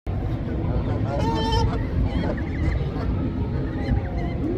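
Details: Canada geese with goslings swimming and feeding in water: a short burst of nasal honks around the middle, over a constant low rumble of wind or engine noise.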